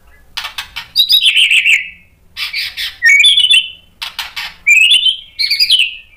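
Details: White-rumped shama lure song for provoking other shamas: repeated phrases, each a burst of harsh rattling notes followed by a buzzy descending warble, given about four times with short gaps.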